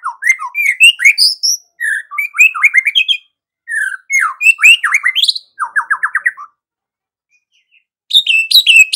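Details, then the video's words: White-rumped shama in full, lively 'gacor' song, meant to rouse other shamas in the morning: rich whistled phrases mixed with rapid chattering trills and a run of quick repeated notes, with short pauses between bursts. "MURAI BATU GACOR || MURAI ANDA LANGSUNG EMOSI"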